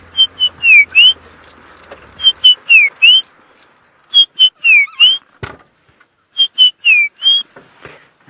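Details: A White-browed Scrub Robin on a South African game reserve at about 6:30 AM on 15 June 2016 sings a clear whistled phrase of two level notes, a falling slur and a rising slur, about every two seconds. A low hum and a click are heard.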